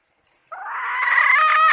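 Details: Hen producing a single sustained, strained and raspy note that grows louder toward the end, in quiet surroundings.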